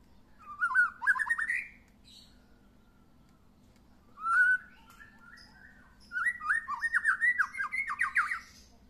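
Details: White-rumped shama after first moult, put out in the sun, sings varied whistled phrases: a fast descending series of notes, a single clear whistle, then a long rapid run of repeated sweeping notes.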